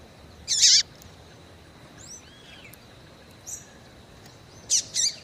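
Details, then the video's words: Female Rufous-collared seedeater, kept by Brazilian breeders, calling excitedly to stir up males; a loud sharp high chip early on, a couple of faint thin notes, then a quick pair of bright chips near the end over a low steady hiss. "FÊMEA DE COLEIRO CHAMANDO MUITO QUENTE FOGOSA E PIANDO"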